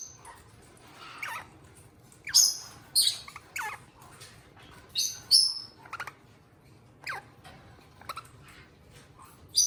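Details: Pair of pet eastern rosellas giving shrill, high chirps that drop quickly in pitch, spaced irregularly, mixed with softer mid-pitched rising whistles and light clicking sounds in a quiet indoor setting.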